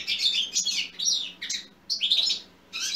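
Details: Goldfinch singing in 2020, the song meant to prompt other goldfinches to sing: fast jumbled twittering with sharp chirps and trilled buzzy notes, broken into four close bursts, over a quiet steady hum.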